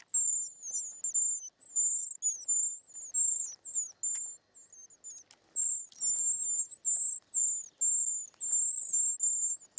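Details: Short-toed treecreeper chicks being fed in the nest, giving thin, very high sibilant notes in a near-continuous chain of short bursts, some ending in a slight downward flick, with faint soft clicks and rustles beneath.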